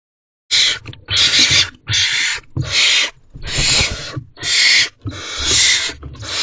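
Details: Barn owlets in a nest box at night, 10:20 pm on 5/2/23, excited as food is delivered; harsh, hissing screeches come back to back, about eight bursts in six seconds, with soft thumps and scuffling.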